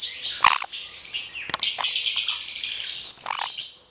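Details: Hand-reared male black-headed caique calling with dense, shrill rasping screeches, a sharp click or knock partway through, and a brief lower squawk toward the close.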